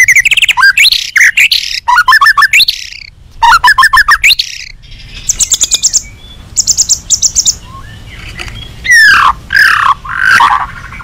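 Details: Agitated white-rumped shama singing to provoke other shamas into answering, used as a lure: loud, varied bursts of rich whistles and rapid chattering trills, with sweeping rising and falling phrases, separated by short pauses.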